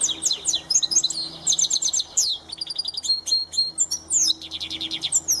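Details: Goldfinch mule in full song, praised as a top-class singer, pouring out a dense, continuous high twitter of quick trills, buzzy rattles and bright whistled slurs with barely a break.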